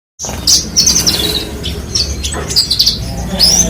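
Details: Horsfield's bushlark (branjangan) singing a rapid, varied run of high chirps, trills and short whistled notes, with a steady low hum underneath.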